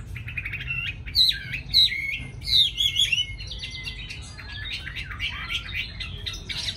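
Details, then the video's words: Tamed Chinese hwamei kept in a cage in Hanoi, Vietnam, valued for its lovely voice: loud, ringing whistled notes in bursts, then softer rapid twittering and varied chirps, with low hum behind. "Mi thuần cb98123 giọng rất hay mau mỏ"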